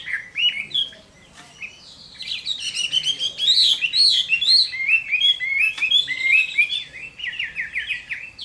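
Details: Chinese hwamei delivering fighting song at summer midday: lively, varied whistles and trills, with looping rising phrases and a closing series of fast repeated slurred notes.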